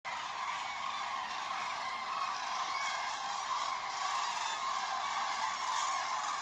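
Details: Common cranes (Grus grus) at Vanamõisa village, Haljala parish, Lääne-Viru County, Estonia, giving a dense, continuous chorus of loud, rolling trumpeting calls that overlap without pause, suggesting several birds calling together.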